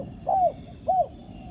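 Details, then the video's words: Wild spotted dove met while trapping with a ground decoy, cooing back to the decoy: two short, arched, mellow coo notes about half a second apart over a low, steady rural background hum. "Bẫy cu gáy mồi đất, gặp chú bổi gù tốt, đẹp chim, có tố chất"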